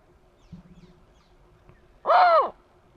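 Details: Bateleur giving one loud, harsh, harmonic-rich cry about half a second long. The cry arches up and then falls. It comes after a quiet stretch with a faint low hum.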